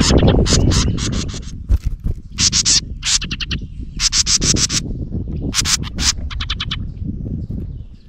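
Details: A house wren angered by a camera by its nest gives groups of fast harsh chattering notes separated by short gaps. Heavy low rumbling and handling noise sits under the calls.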